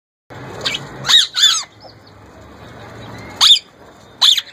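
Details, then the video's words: A young male plum-headed parakeet, said to be trying to talk and copy a ringneck parrot's voice, gives four sharp, high, squawky chirps: a quick pair near the start, then two more spaced apart, over a faint indoor hum. "Young Plum Head Male trying to Talk & Copy Ringneck Parrot voice"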